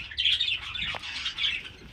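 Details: Home-kept breeding budgerigars chatter with a steady stream of high, scratchy warbles and chirps, overlapping calls from several birds.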